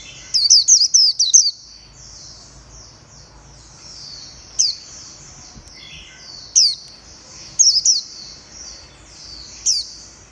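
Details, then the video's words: White-eye recorded 11/7/2021, opening with a fast burst of high twittering, then scattered single thin chips and short double notes through a quiet background. "Tiếng chim vành khuyên hót hay nhất"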